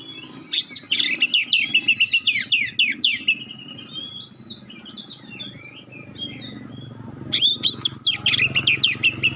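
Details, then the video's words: Oriental magpie-robin singing sharp 'tembakan' notes in a clear voice to get other magpie-robins to respond; rapid, repeated high chirps and whistles, a quieter stretch of scattered notes, then another fast burst, over a low hum. "suara tembakan tajam juga suara jernih bikin kacer lain langsung respon ngobra"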